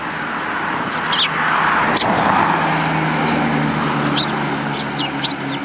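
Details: Sparrows at the front approach of a Tenmangu shrine on 12 December 2019 give scattered short high chirps, some in quick pairs, over steady traffic rumble and low voices.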